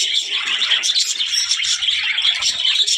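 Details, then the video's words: Budgerigars described as talking, giving dense, continuous high warbling chatter with overlapping chirps and squeaky notes throughout, several birds apparently calling at once. "budgies parrot talking | chidiya ki awaz"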